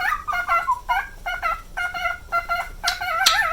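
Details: Pet male cockatiel, nine years old, repeating short harmonic whistled notes in spaced pairs, some notes bending downward, ending in a louder wobbling vibrato phrase with a sharp click.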